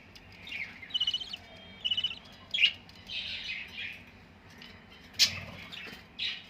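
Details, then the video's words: Budgerigar chicks playing in the morning make a chattering series of chirps: quick pulsed warbling trills, then scattered sharp squeaky notes and short burbled phrases, with a quiet room hum behind. "chicks of budgies playing in morning"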